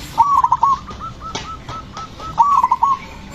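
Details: Loud, aggressive zebra dove singing to provoke other doves to answer: two quick bursts of clipped, bubbling coos, each dropping into softer spaced notes, with faint answering coos between them.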